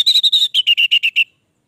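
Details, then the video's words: Orange-headed thrush in sustained song, giving a fast series of about ten clear whistled notes, the first few steady and higher, the rest slightly lower, ending abruptly in silence. "Anis merah gacor durasi panjang"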